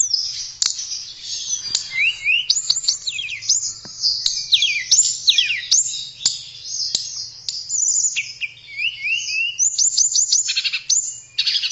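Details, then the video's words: Long unbroken tledekan song from a blue flycatcher: dense, high, melodious twittering with repeated zigzag trills and swift descending whistles, delivered without pause, over a faint low hum. "Kicauan Merdu TLEDEKAN"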